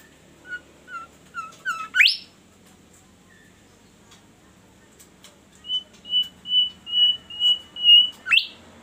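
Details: Bimoli bird singing melodiously and steadily: a few short whistled notes that step upward, ending in a sharp rising sweep. After a pause comes a run of eight clear, even, high whistles about twice a second, closing with another upward sweep.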